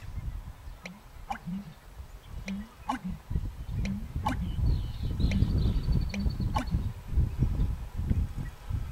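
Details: Male American bittern giving its pumping call in April, a call made at dusk and dawn in spring or summer; deep, low gulping booms repeated roughly every second or two, with wind and faint higher bird notes in the background.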